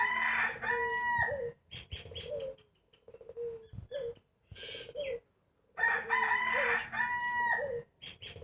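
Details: Chickens in the morning before the 2020 New Year: a rooster crow opens and another returns near the end, with shorter clucks and calls from other fowl in between and soft flapping-like noise.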